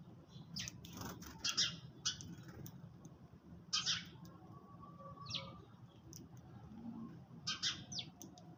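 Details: Several sparrows chirp over their food in the early morning, a busy run of quick high notes in clusters, then quieter gaps and more chirps, over low background noise.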